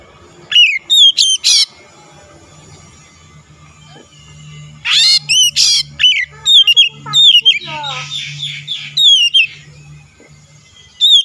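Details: Oriental magpie-robin song played as a lure to start a rival singing: varied loud whistled phrases and harsh rasping notes in scattered bursts over a steady low hum.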